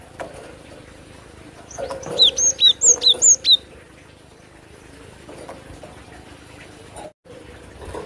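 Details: Cinereous tit, a lure recording for attracting birds: a tidy series of about eight slurred whistles, alternating higher and lower falling notes, followed by several seconds of near silence with a faint click.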